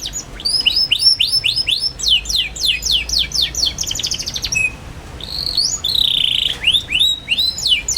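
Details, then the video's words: Young canary in full chirping song, meant for teaching other canaries: rapid series of downslurred tweets repeated several times a second, then a buzzy trill and a sustained whistle before the quick chirps resume. "KENARI PAUD NGERIWIK GACOR CUIT CUIT BIKIN EMOSI |22| COCOK BUAT PANCINGAN KENARI PAUD BELAJAR BUNYI"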